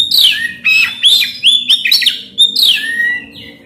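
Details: Caged Oriental magpie-robin singing energetically, played to spur a silent bird into song: rapid run of clear whistled slurs, rising and falling notes and sharp chips, almost without pause.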